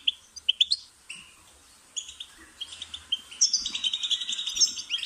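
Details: European goldfinch song used as a training tape for captive birds: bright twittering notes and short trills in separate bursts, becoming a denser, continuous tinkling chatter over the last two seconds.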